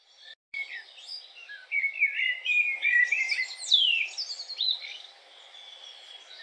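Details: Common blackbird (Turdus merula) singing a mellow, fluted warbling phrase that wavers in pitch, then breaks into higher, thin twittering notes with a sharp downward slide near the end; quiet background.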